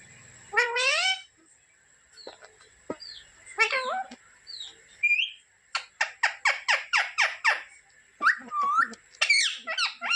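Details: Pet talking parrot indoors producing harmonic speech-like phrases, then a quick series of sharp, clicking chirps, followed by more rising squawky notes, with a steady high electronic whine throughout.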